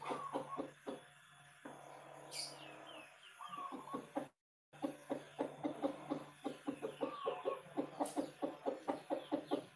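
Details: Local Javanese zebra dove song kept as a lure for other birds: runs of short, soft, low cooing pulses quickening into rapid staccato series, with a steady faint hum underneath and a brief silent break midway.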